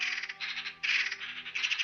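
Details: Eurasian magpie chatter, a distinctive call used to exchange important information between birds: harsh, rattling chatter in three quick, dry, grating bursts over soft steady music.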